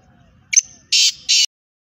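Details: A female black francolin gives a thin sharp opening note and then two loud, harsh, buzzy bursts spaced about a third of a second apart, with a low murmur beforehand.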